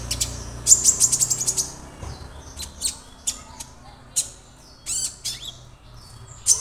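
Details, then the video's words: Caged young Orange-bellied Leafbird already in voice, kept singly to learn from tutor songs: a rapid high chattering run, then scattered sharp chirps and a few down-slurred notes. "KONIN Bahan auto rajin"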